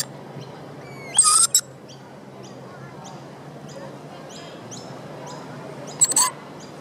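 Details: Rainbow lorikeet at the Royal Botanic Gardens, Sydney, by the Opera House, giving two short harsh stuttering screeches, while another small bird repeats thin high chips about twice a second in the background.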